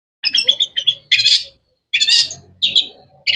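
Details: Long-tailed shrike, known locally as cendet, giving rapid chattering notes followed by loud buzzy bursts, roughly one phrase every second, separated by short pauses.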